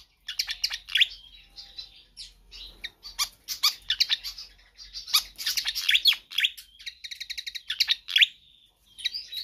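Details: Persistent, vigorous singing of a pied fantail, used as a master or lure track: dense clusters of bright, high chirps and squeaks, a fast even trill late on, then a short silence and renewed notes.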